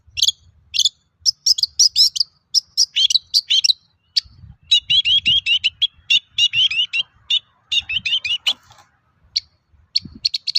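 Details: Long-tailed shrike in long, busy song meant as a lure to stir other shrikes into singing; rapid clusters of sharp high chirps and trilled phrases, barely pausing, with faint low background rumble.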